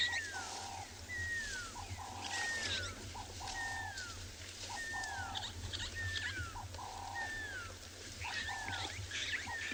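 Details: Pearl-spotted owlet calling at sunset on 23 June 2020 in Tswalu Kalahari Reserve, South Africa, where it often calls at this time of day. Clear, falling whistled notes come about once a second, with short mid-pitched hoots between, over a low rumble.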